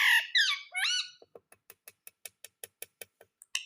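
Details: Pet ring-necked parakeet lets out a few loud harsh squawks, followed by a steady series of soft clicking ticks, about five per second.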